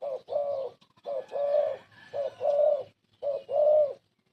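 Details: Spotted dove, an old decoy bird used to lure birds for trapping, cooing: low soft coos in pairs, a short note then a longer rolling one, repeated about once a second with brief pauses.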